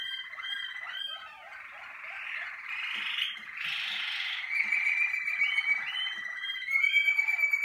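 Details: Malinois Waterslager canary warming up in the singing cabinet: looping bell-like notes, a burbling watery passage, then rapid trills rising into a clear sustained whistle.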